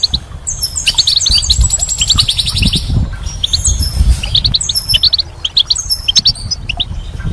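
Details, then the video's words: Spring song of a goldfinch, a lively run of rapid tinkling, twittering notes and short buzzy trills, tumbling on for several seconds with brief pauses, low rumble underneath. "Goldfinch's Song"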